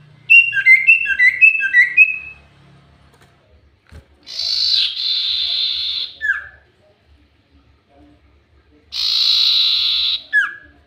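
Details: Lure recording of a highly active common iora: a quick series of short descending whistles, then two long rasping buzzy notes, each closed by a brief downslurred whistle, with faint low thumps in between.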